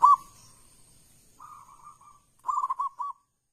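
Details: Local zebra dove song used to prompt other doves to sing: a brief opening note, a soft wavering coo, then a phrase of four or five quick rounded coo notes.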